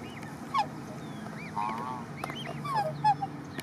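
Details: Black swan parents of the Australian silver type with one-day-old cygnets venturing through their nesting area at Lake Morton, Lakeland, Florida; a few sharp descending whistled notes, one wavering longer sound, and other soft chirps over steady hum.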